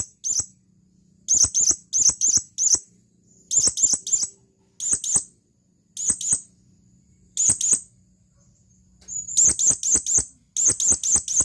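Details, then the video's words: Male blue-crowned hanging parrot calling to a female: sharp, very high, thin chirps, mostly in quick pairs or runs of three to five, separated by short silences, with a faint steady high tone behind. "suara burung serindit memanggil panggilan"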